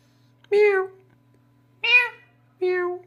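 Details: Talking parrot pretending to be a cat gives three drawn-out, harmonic meows, the first and last long and steady, the middle one shorter, in a quiet indoor room.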